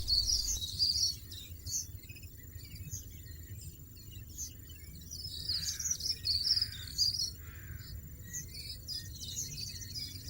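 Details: European goldfinch at a nest the female built 1.80 m above the ground, where five-day-old nestlings are fed about every half hour; high, thin twittering chirps come in uneven bursts over steady low background rumble.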